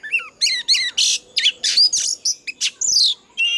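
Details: Old wild Oriental magpie-robin singing a loud morning song, used to train and stimulate captive birds: a fast run of varied whistles, slurred rising notes and harsh buzzy bursts, about three phrases a second, all high-pitched.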